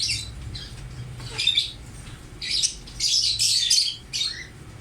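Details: Ring-necked parrot, green, gives harsh, raspy squawks in bursts, several clustered in the last two seconds, with a low indoor hum underneath.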